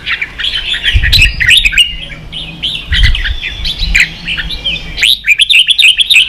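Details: Competing caged red-whiskered bulbul delivers rapid chirping phrases about three per second, with several low thumps in the first seconds and a brisk burst of notes near the end.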